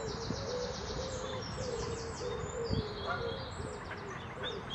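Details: A grown common moorhen chick from the first clutch begs to its parent, which has new chicks: thin, high peeping notes in quick runs over a low, steady hum, with a few soft lower chirps.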